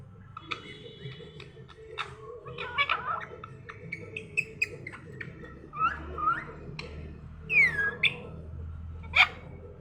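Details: Parrot talking in the morning: a busy run of short clicks, chatters and harmonic squawks, then louder sharp whistled notes that bend up and down near the end, over a steady low hum.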